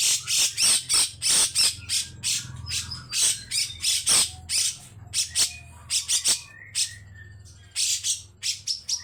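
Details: Grey-cheeked bulbul delivering coarse 'besetan' chatter: irregular harsh bursts interspersed with brief thin whistled notes, and a low hum in the background throughout.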